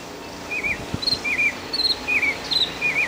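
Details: Northern mockingbird singing in Key West Cemetery: a run of short, bright, slurred chirps, each phrase repeated several times at high pitch, alternating between two note types with brief gaps, over a soft steady background hiss.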